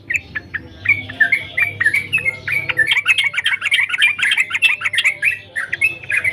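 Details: Sooty-headed bulbul singing actively: a busy stream of harsh chattering and chirping notes that grows denser and louder midway, over a low steady background hum.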